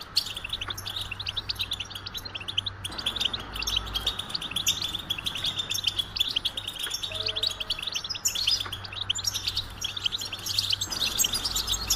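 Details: Goldfinch singing a long, dense run of rapid twittering and tinkling notes, high and bright, with brief buzzy trills mixed in, over a steady low electrical hum.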